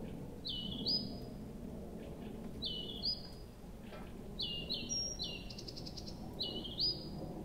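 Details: At night in Abramtsevo in early June 2021, a nightingale repeats a short phrase: a sharp upward flick followed by a falling whistle, about every two seconds, with a brief buzzy rattle midway and a constant low rumble beneath.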